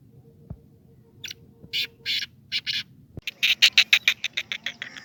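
Black francolin giving harsh, grating bursts, a few spaced notes and then a fast run of about a dozen rasping notes, with clicks and a low hum.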